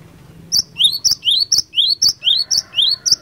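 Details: Cinereous tit, fighter song to trigger quick answers from other tits: a fast, steady string of high whistled two-part notes, a bright upper note then a lower slurred one, repeated about four times a second.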